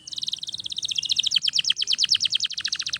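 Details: Caged canary singing a continuous training song: fast repeated trills of short descending notes, high-pitched and loud, rolling on without pause with a faint low hum beneath.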